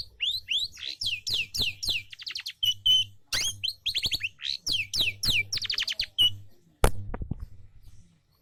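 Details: Long-tailed shrike song played to encourage other birds to sing: quick series of sharp, high, downward-sweeping notes and short rattles in bursts, with a steady low hum beneath and a loud click near the end.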